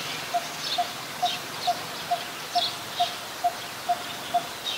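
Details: A Coppersmith barbet in Ubon Ratchathani, Thailand, on 1 February 2020 gives a steady series of hollow, low 'tuk' notes, about two per second. Faint high chirps come from other birds in the background.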